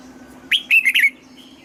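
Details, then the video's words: Single brief phrase from a Red-whiskered bulbul's double-note morning song, old wild-bird style. A rising whistle followed by three quick, bright warbled notes, all within about half a second. "Luyện giọng cho chào mào hót sáng, ép chào mào hót âm kép già rừng hay tuyệt!"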